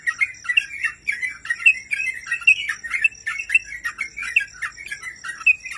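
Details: Sooty-headed bulbul master recording for training cage birds, the bird in gacor singing form: a dense run of short chirpy bubbling phrases, roughly one every second, with a thin continuous high tone in the background.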